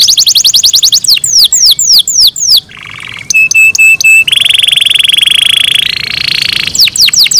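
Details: Caged canary in morning song, loud and high: rapid clicking trill, falling sweeps, then steady buzzy and ringing held tones, closing with more swept notes.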